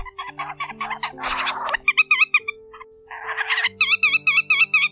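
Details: A Whimbrel in a migration-season lure recording from October 2020 gives quick runs of clear, whistled notes, about two per second, broken by harsher rasping bursts over a steady low electronic hum.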